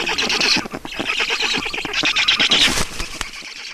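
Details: Feeding at a Black stork nest in Estonia, 5 June 2019; scratchy, squealing begging notes in quick succession, with a louder rasping burst near the end.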